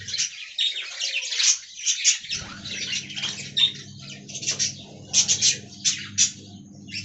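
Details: Many budgerigars in an aviary chattering with sharp high chirps and short whistled notes in irregular bursts; a low hum begins after about two seconds.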